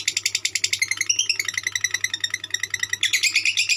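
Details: In konslet style, a lovebird pours out rapid squeaky chirps and buzzy twitters without a break, a short slurred run of notes near the middle, low hum underneath.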